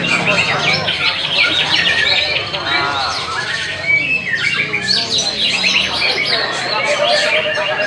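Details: White-rumped shama singing a dense, varied song of harsh squawky notes, chattering bursts and quick whistled phrases, mostly high-pitched and packed closely together, with a continuous busy background.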